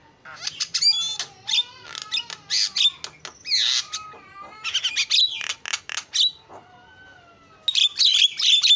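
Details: A Javan myna in active mimic song, alternating harsh noisy bursts with thin whistled slurs and quick chirps, a quiet spell, then a loud final flurry.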